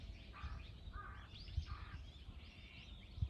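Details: Three crows harassing a hawk, recorded 21 October 2023: three hoarse, flat caws spaced about half a second apart, with a constant low background rumble.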